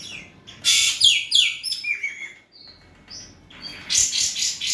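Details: Asian pied starling in a very vocal singing bout, used to prompt a quiet bird into answering: loud bursts of harsh, buzzy notes and rising whistles, a short pause, then a further burst of dense, scratchy phrases.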